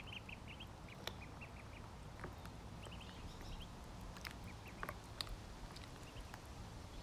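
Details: Ducklings at feeding time, with short high peeps in loose clusters at the start and again mid-way, scattered clicks and pecking noises, and a constant low background hum.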